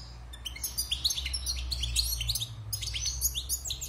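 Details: Wild-caught European goldfinch kept caged after its moult, delivering a fast liquid twitter of high chirps and short buzzy trills in dense bursts, with a low steady hum beneath.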